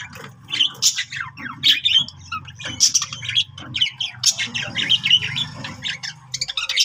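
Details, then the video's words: Pet budgerigar singing: a dense, continuous chattering warble of quick squawks, chirps and buzzy notes. It runs without pause, with a low hum underneath throughout. "singing budgie budgie sounds |budgie voice Love budgie parakeets chirping sounds"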